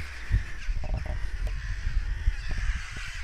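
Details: Alarmed crows caw after a goshawk had seemingly been hunting; choppy, overlapping harsh calls with a few sharper notes, set against gusty low wind noise.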